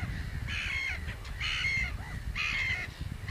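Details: Common crane calling in loud, harsh, rattling trumpeted bursts, each about half a second long and repeated roughly once per second, over a steady low rumble of background noise.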